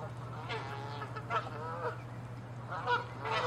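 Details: Fighting Canada geese, defending territory, utter strident, harmonic-rich honks, a few in quick succession with short gaps, backed by a steady low drone.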